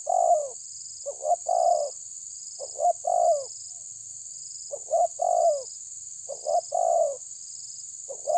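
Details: Spotted dove pressing a rival, tabir style: low cooing phrases of one or two short notes and a longer falling coo, repeated about every two seconds over a steady high insect-like drone.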